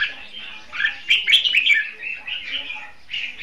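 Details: Decoy red-whiskered bulbul in a cage for bird trapping, singing a brief, dense run of warbled whistles, loudest in the middle, over a steady background hum.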